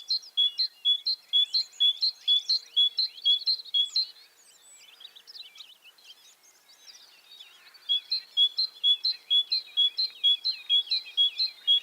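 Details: Tit singing in a rural outdoor setting: a brisk, steady run of high two-part notes, about two per second, breaks off into a scattered chirpy passage before the regular phrase returns.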